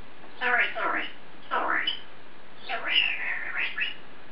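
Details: Caged African grey parrot indoors, talking to itself: short speech-like word bursts with rich harmonics, three separate phrases spread over a few seconds in a quiet small room.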